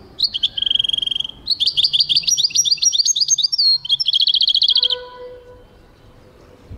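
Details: European goldfinch singing, heard in 2023: a fast, bright twittering run of high tinkling notes and trills, shifting between rapid repeated chirps and short buzzy phrases before fading to quiet background hum.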